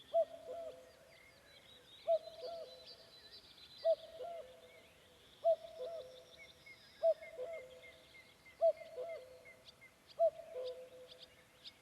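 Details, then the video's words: Unusual-sounding cuckoo song from a May evening in forest near Vändra, Pärnumaa, Estonia: steady paired low notes falling slightly, repeated roughly every 1.6 seconds, over thin distant chirps and whistles of other birds. "Kägu. Linnulaul."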